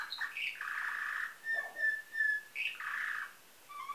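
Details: Canary with nightingale-type song, Varna, Bulgaria, 2013: buzzy low rolls alternating with short clear whistled notes, then another rattling roll and a faint end note.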